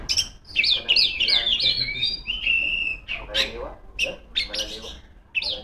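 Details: A female Oriental magpie-robin sings to call rivals, opening with rapid wavering whistled loops, then a long level whistle, followed by scratchy, buzzy bursts and short sharp calls.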